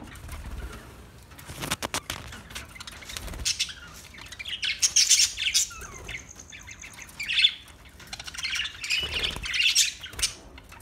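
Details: New budgerigars giving mixed scratchy chirps, squeaks and squawks in irregular bursts, with a thin whistled note midway, after a noisy opening with rustling and knocks.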